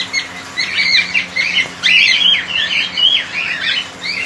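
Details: Cockatiel colony, many birds calling together: dense overlapping chirps and short whistled notes, some rising and falling, with squawky bursts around the middle and a steady low hum underneath.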